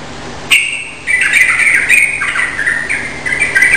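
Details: A Sooty-headed bulbul in full song, recommended as a lure to draw replies, sings a run of liquid, bubbling phrases in a mid-high register, stepping up and down almost without a break after one short opening note.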